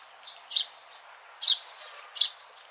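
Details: Sparrow: three sharp, high chirps roughly a second apart, each a quick bright note, against a quiet hiss.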